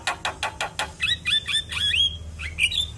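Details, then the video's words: Javan myna singing to set other mynas singing: five rapid harsh clicks, then a run of bright, looping upslurred whistles with a squeaky closing note. "Semua Burung Jalak Langsung Buka Suara Dengar Kicauan Jalak Kebo Ini"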